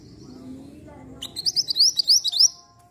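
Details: Black-winged flycatcher-shrike (mantenan) song used as a lure for a reply. After a soft low hum, roughly seven loud, thin, upswept whistles follow quickly in a row.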